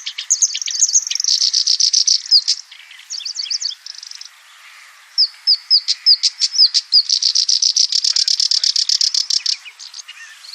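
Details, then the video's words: Black-browed reed warbler singing, billed as its best song: fast, harsh, chattering phrases of high buzzy notes and sharp chips, a pause near the middle, then a long rapid rattling run to the end. "kicauan terbaik kerak basi alis hitam"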